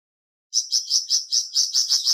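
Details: Flamboyan bird singing: after half a second of silence, a fast series of high, sharp chirps, about four per second, steady in pitch and evenly spaced.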